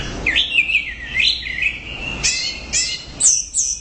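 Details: Orange-headed thrush, anis merah, singing loudly: a wavering warbled phrase rising and falling, then short stacked notes and high clear whistles.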